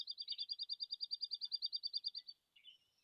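Dark-eyed Junco: a quick, even trill of about twenty high, musical notes, roughly nine a second, running just over two seconds, then a few soft chips.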